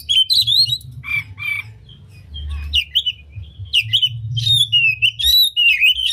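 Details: Oriental magpie-robin in full song with tail spread, used to provoke other magpie-robins to sing: varied high whistled phrases and chattering notes in irregular bursts, over a low background rumble.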